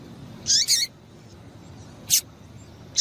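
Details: Double-collared seedeater female calling 'tui tui' to stir up a male: a quick pair of piercing high notes with a falling tail, then single bright chips about a second apart, over a soft low rumble.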